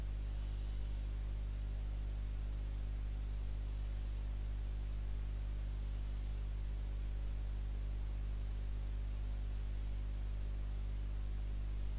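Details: Steady low electrical hum with faint background hiss, and no animal calls.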